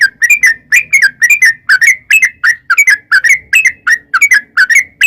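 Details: Sooty-headed bulbul long 'ropel' song used as a lure to make wild bulbuls respond. A continuous, energetic string of liquid slurred chirps, roughly three to four per second, with no real pauses.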